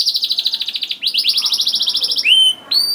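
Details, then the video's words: Canary singing to lure young canaries into song, two fast buzzy trills followed by a pair of clear upslurred whistles. "KENARI GACOR DOR NGEDUR NGOTOT CUIT CUIT NGEROL AMPUH PANCINGAN KENARI PAUD"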